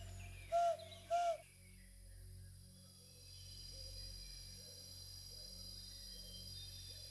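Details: A Narina Trogon in South African forest near a nature lodge gives two loud, low, slightly bending hoots about half a second apart, followed by quieter distant calls, including other forest birds, and general forest background.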